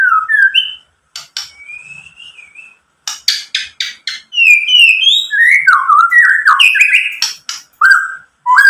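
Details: White-rumped shama song played as a lure to make other birds answer, with mimicked filler. Sliding whistles and a long wavering note give way to sharp clicks, then a fast, varied sequence of slurred whistles.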